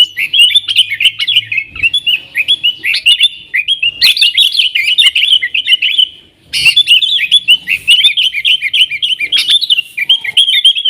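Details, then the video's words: A 'nggaruda'-style lure song from a yellow-vented bulbul (trucukan) for calling wild sooty-headed bulbuls: long, busy runs of bright, babbling warbles, with one clear break near 6.5 seconds. "TRUCUKAN GACOR Nggaruda Super Ampuh Untuk Suara Panggilan Burung Kutilang Liar"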